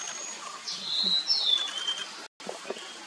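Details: Nilgiri blue robin (Nilgiri sholakili, Sholicola major) at Kotagiri, Tamil Nadu, India, in February 2023, sings a thin, high, whistled phrase that slurs downward, with a few faint sharp notes after a brief gap.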